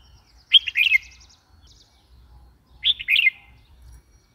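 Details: Two rolling, chirpy phrases of a red-whiskered bulbul about two seconds apart, with a faint thin trill from another bird in the background.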